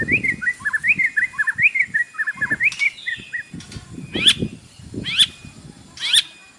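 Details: White-rumped shama's morning isian song, a lure to make captive birds sing; quick warbled whistles followed by three loud, piercing high notes, with a noisy, murmuring background.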